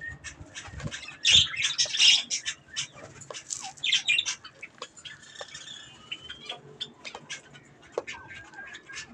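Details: Budgerigars feeding on strawberries give loud raspy squawks early on, then softer scattered chirps and a few thin whistled notes.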